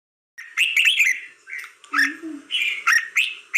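A red-whiskered bulbul sings short bursts of bright, liquid, chattering notes in quick phrases about half a second apart, with a faint low murmur beneath.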